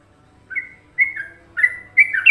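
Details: Short burst of Trucukan song by a yellow-vented bulbul from Indonesia: four drawn-out, warbling whistles, growing louder, the last one rising and more complex.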